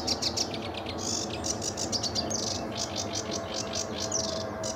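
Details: Sedge warbler singing lively in early morning sun under a blue sky at RSPB Fowlmere in July: a fast, continuous chatter of high scratchy notes and short trills, over a steady low background rumble.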